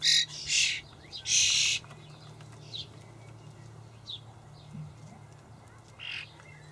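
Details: Young common starlings in a Hamburg allotment garden on 28 May 2012, fed dried buffalo worms by their parents; a few harsh, buzzy begging bursts early on, then sparse fainter calls and a steady low hum.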